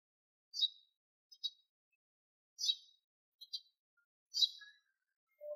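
A sparrow gives short, bright chirps in a loose rhythm, each burst about a second apart with brief double notes between, otherwise quiet.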